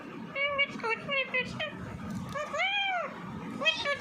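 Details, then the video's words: Pet Alexandrine parakeet talking indoors, a run of short harmonic nasal syllables, some flat and some arched, giving a speech-like babble, over a low room murmur. "alexandrian talking parrot"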